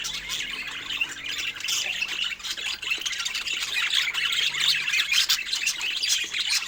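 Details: Pet budgies chirping over fruit: steady, dense high-pitched warbling chatter with fast buzzy notes throughout.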